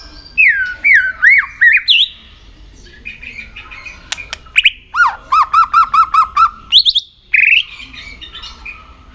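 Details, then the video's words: White-rumped shama trained for contest singing: looping whistled phrases with bends and slurs, sharp upward flicks, then a fast even series of about eight repeated notes, closing with a high ringing whistle. "luyện giọng chòe lửa hót kích chòe lửa nhanh căng lửa"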